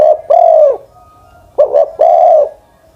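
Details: Old spotted dove over ten years old, kept as a ground decoy, gives a long mellow coo. A quick double coo then a longer sustained note follows.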